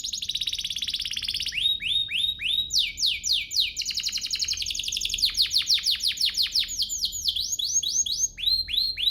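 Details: Domestic canary song used as a lure to provoke other canaries into singing: rapid high rolling trills give way to quick runs of downswept whistled notes, about 200 per minute, loud and continuous throughout.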